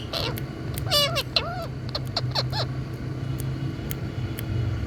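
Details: A rose-ringed parakeet gives a handful of harsh, arching squawks in the first few seconds, then sparse short chips, over a steady low traffic rumble.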